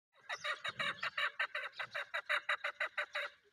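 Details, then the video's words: Female chukar partridge (chakoor, keklik) calling: a fast, even series of about fifteen harsh, clucking chuk notes, roughly three or four each second, steady in pitch and loudness throughout, with faint low rumbling behind. "Female Chakoor keklik Kobuk Voice"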